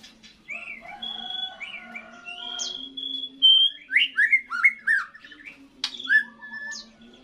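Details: Caged white-rumped shama giving its first song after moulting: varied loud whistled phrases, sliding notes and sharp high chirps with rising and falling sweeps, over a low steady hum.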